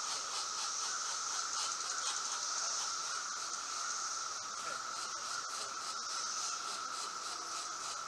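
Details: Two pileated woodpecker chicks being fed in their nest hole give a steady, buzzy, hissing begging chorus that runs without pause, with a faint rattly undertone.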